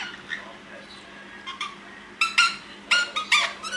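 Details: Pet ringneck parakeets indoors at nap time, chatting to each other: soft scattered squeaky chirps, then several louder harsh squawky notes in quick bursts over a steady low hum.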